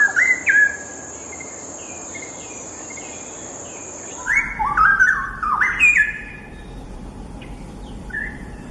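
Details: Straw-headed bulbul (cucak rawa) song: a short burst of rich whistled notes, a pause with a steady high hum, then a louder rolling run of gurgling, stepped whistles.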